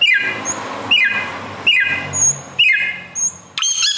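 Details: Samyong, the Bare-throated whistler endemic to Indonesia and known for imitating other birds' voices: a series of ringing whistles, each falling steeply in pitch, given four times at roughly 0.8-second intervals, with thin high notes between and a final shrill burst.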